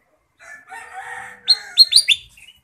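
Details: Ruby-throated bulbul (kutilang emas) in the full-isian song style. Soft warbled notes open the phrase, then four loud, quick, sharp downslurred chirps run in a tight burst before a short fading note.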